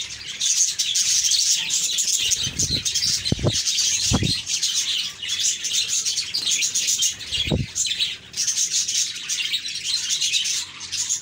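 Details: Cheerful budgies in a flock, chirping nonstop: thick, high-pitched chattering and warbling that rises and dips in loudness, broken by three sharp knocks or taps near the middle.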